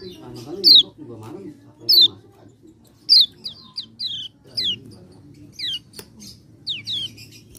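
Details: Common iora recording used as a lure to get birds singing: repeated high, sharp, down-slurred whistles about once a second, mixed with shorter softer chirps.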